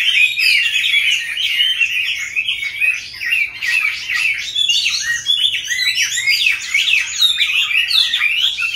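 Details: Caged Chinese hwamei, several birds kept since being caught wild as adults, now in their fifth year of captivity, singing a continuous rich stream of varied whistled phrases, rising and falling notes tumbling rapidly without pause.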